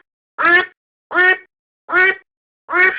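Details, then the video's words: Domestic duck recorded as a decoy call: four raspy nasal quacks spaced about three quarters of a second apart, the last trailing into a slightly longer drawn-out note. "アヒルの鳴き声 おとり用"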